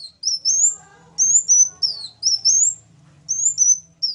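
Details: Sunbird singing thin, very high whistled phrases that sweep upward and then flatten out. The phrases come in short bursts separated by brief pauses, with a faint low hum in the background.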